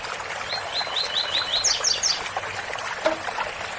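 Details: Singing rusty-collared seedeater, 'tui tui' style: about six quick rising whistles, then three higher buzzy notes closing the phrase, all over continuous waterfall noise.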